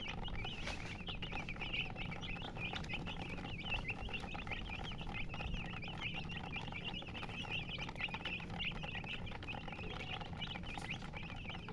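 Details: Chickens chirping in a steady stream of quick high peeps that overlap throughout, heard over a loud constant low hum and rumbling background noise.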